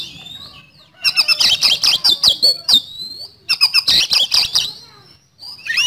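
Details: Oriental magpie-robin (kacer) singing with energy as lure song: after a soft whistle, two long runs of fast regular chips and high notes, ending in descending whistled slurs.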